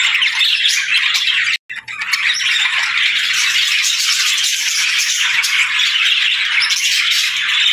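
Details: Happy budgies chirping at daybreak: dense, rattling chatter of many birds, broken by a sudden brief silence just after one and a half seconds before the twittering resumes.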